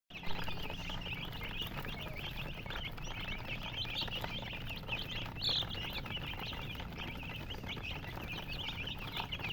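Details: Colored domestic chicken chicks chirping as a busy flock: dense, overlapping high peeps run continuously with no pauses, over a steady low hum.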